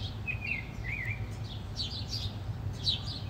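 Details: House sparrow (Passer domesticus), aggressive calls: fighting between rival sparrows.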